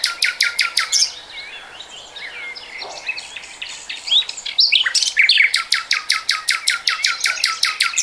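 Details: Common nightingale song from 2020. A rapid train of loud, clipped repeated notes opens the phrase. Softer varied warbles and whistles follow, then another long, fast series of hard repeated notes. No other sounds stand out.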